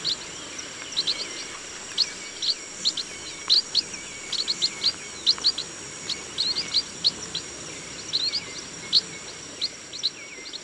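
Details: Chestnut munias in a rice field giving high, thin, squeaky chirps in quick irregular bursts, some doubled, against a steady high-pitched background drone.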